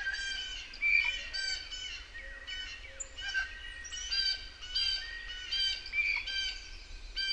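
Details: Several blue jays in a forest around a cabin give harsh, nasal, ringing calls in quick overlapping bursts over a low steady background hum; blue jay (Cyanocitta cristata) calls.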